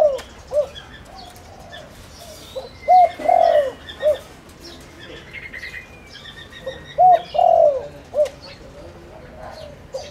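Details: Lure spotted dove kept to attract wild doves coos twice, each phrase a soft lead-in, a long wavering note and a brief closing coo, with quiet gaps and scattered bird chirps between.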